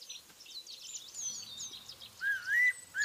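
Javan banded pitta giving a clear, mid-pitched whistle that slides upward, then starts again. Thin, high chirps from other small birds fill the background.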